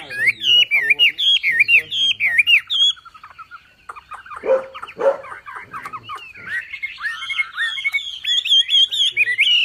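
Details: Javan pied starling (wambi) giving a lively masteran song full of tembakan bursts: fast whistled, up-and-down warbled notes at a high pitch, a quieter stretch of scratchy, rattling notes in the middle, then strong whistled phrases again.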